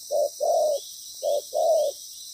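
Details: Spotted dove used as a decoy in trapping, in moult: two low cooing phrases, each a short note followed by a longer, level coo, with a constant high hiss behind.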